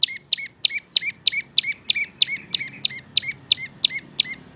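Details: Prinia song for training cage birds: a steady stream of about fourteen sharp two-part chirps, a high click-like note dropping to a lower tone, against soft background noise.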